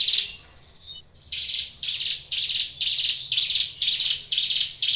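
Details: Caged hill prinia (ciblek gunung) singing: a series of buzzy, harsh high notes repeated about twice per second, briefly interrupted near the start, in a quiet indoor setting.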